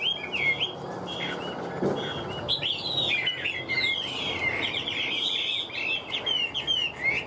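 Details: A caged Hwamei, kept as a prized singer and fighter, starts with scattered whistles and builds into a dense, rolling stream of slurred notes and rapid trills.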